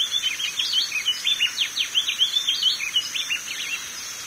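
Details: Coleiro do norte seedeater in full song, a hurried series of clear whistled slurs and sharp chips, varied and tumbling, against a steady high-pitched hiss.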